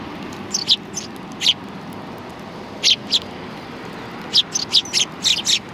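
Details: Group of sparrows arriving to be fed at a Tenmangu shrine on 16 January 2020: bright clipped chirps, singly and in quick runs of three or four, against constant background traffic hum.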